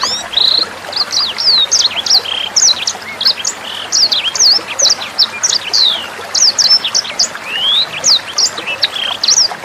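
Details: Sanger bird singing a clear, rapid 'nembak' tutor song meant for training white-rumped shamas, oriental magpie-robins and greater green leafbirds. The song is a dense run of high, sharp chirps and quick upward and downward whistled sweeps, with trickling water behind it.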